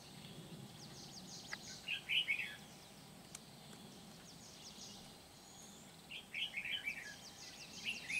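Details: Decoy red-whiskered bulbul used for trapping in Kim Bôi, 8 September 2019, singing two bursts of fast warbled whistles separated by a pause, with steady background hiss and faint high rustling.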